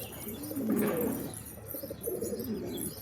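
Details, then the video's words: Pigeons coo in low gurgling phrases, a stronger warbling burst near one second followed by a softer coo after two seconds. "Pigeons | Cat Tv For Cats To Watch Birds | Beautiful Birds chirping Sound"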